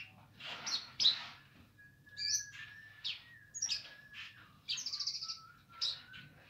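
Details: Streaked spiderhunter in lively song: bursts of sharp high chips and rapid stuttering trills, mixed with longer thin level whistles at a lower pitch, over faint background hum.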